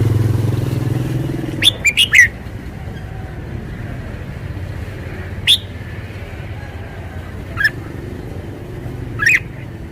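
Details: Caged red-whiskered bulbul displaying its song style: a quick burst of three clipped whistled notes, then single sharp chirps spaced about two seconds apart, against steady low traffic rumble.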